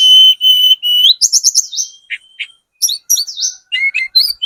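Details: Sunda robin of the spotted mountain form, played as a lure to draw replies from other birds: sustained pure whistles, then quick fluttering trills and scattered high chirping phrases with short pauses.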